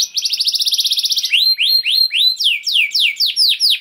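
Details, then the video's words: Continuous canary song in 'gacor' style: a rapid rolling trill of fast even pulses, followed by slower rising-then-falling whistled notes repeated at a steady pace. "Seketika Kenari Kondisi Apapun Akan Langsung Respon Bunyi Gacor Panjang Tanpa Nunggu Lama"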